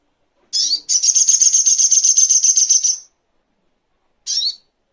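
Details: Little spiderhunter song for training songbirds: an opening sharp chip, then a steady, rapid, high-pitched trill lasting over two seconds. After a pause comes one more sharp note. There is no other sound.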